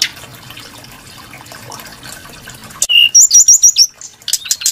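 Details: Brown-chested jungle flycatcher, a songbird loved for its varied, sweet voice: after a quiet lead-in, one low pure whistle, then a rapid run of repeated high wavering notes and a few sharp clicks.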